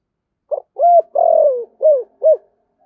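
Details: Decoy spotted dove giving a thổ-style cooing phrase: a soft short lead note, then a hollow coo, a long sliding coo that falls slightly, and two more short round coos, clean and unaccompanied.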